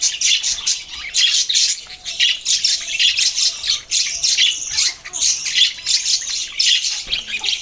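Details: Constant budgie flock noise, scratchy squawks and quick chirps in loud rhythmic bursts, dipping briefly between surges of chatter.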